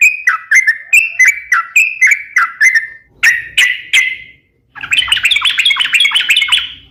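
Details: Yellow-vented bulbul in lively song, played as a lure and tutor: a run of repeated whistled notes, three louder burry notes, a short silence, then a fast rising jumble of chattering notes.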